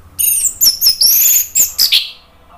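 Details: Song of an orange-headed thrush used to coax other birds into singing: a rapid string of very high, sharp whistled notes and buzzy slurs, ending with a falling note, loud and close.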